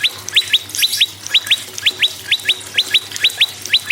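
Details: Close, loud prinia song: strongly rising whistled notes in tight pairs, each pair about a third of a second apart, repeated steadily. Played to prompt other birds to sing.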